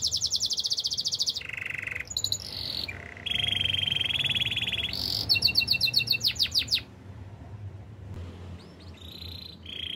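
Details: Domestic canary singing a training song: fast high trills alternate with lower rattling rolls and long sustained buzzy tones, with quick bursts of descending notes, varied phrases following one another without pause.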